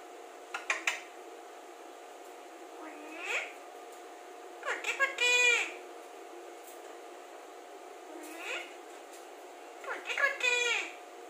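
An Alexandrine parakeet talks in short, nasal, speech-like bursts, about five phrases in eleven seconds, over a steady indoor hum.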